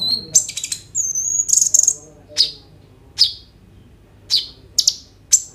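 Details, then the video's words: Kolibri ninja sunbird, song laced with borrowed phrases and rolls, recorded on a phone: a clustered burst of high buzzy notes and a thin whistle, then evenly spaced single sharp chirps. "KOLIBRI NINJA GACOR FULL ISIAN ROLL TEMBAK, COCOK UNTUK PANCINGAN KONIN BAHAN BIAR BUNYI"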